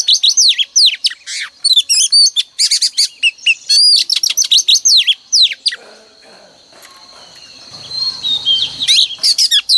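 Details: Song of a female oriental magpie-robin, played in the morning to provoke males into singing. Quick bursts of bright whistles and chattering chirps for about six seconds, then a quieter stretch of faint high trilling before brief notes return.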